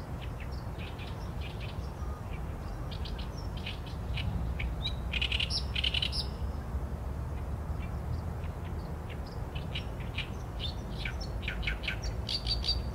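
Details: Continuous Oriental reed warbler song recorded on a Sony A7M3: a long, varied string of scratchy, chattering and squeaky notes, irregular in rhythm, with faint low rumble underneath.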